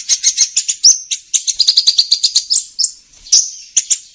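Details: Fast string of sharp high sunbird chips with a few thin slurred whistles, rhythmic and shrill, played as a lure for trapping.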